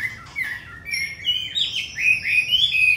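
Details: Purebred Hwamei in a cage, Hanoi, Vietnam, a strong forest-voiced singer: clear, ringing, level whistles stepping steadily higher in pitch, loud and evenly spaced.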